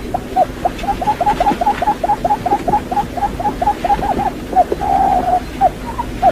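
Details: A decoy quail calls in a fast series of short, hooked, mid-pitched whistled notes, about four a second, broken once by a longer rolling note, over a faint low hum.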